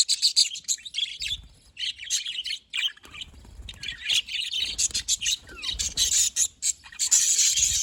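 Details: Budgerigars on 18 October 2023 chatter in a steady, busy stream of high, scratchy warbles and quick chirps, several birds overlapping, with low rustling and knocks underneath.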